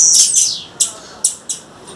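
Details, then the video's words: Wild female blue-black grassquit calling: a high, bright whistled phrase at the start, then three isolated sharp chip notes spaced roughly a third of a second apart. "Tiziu fêmea, fêmea de tiziu chamando na natureza, tiziu fêmea macheando e tiziu cantando!"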